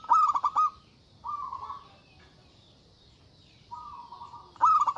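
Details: Local zebra dove in loud, agitated calling aimed at rivals: a stuttering pulsed burst, two separate steady buzzy hums with a quiet gap between them, and a closing burst of rapid notes.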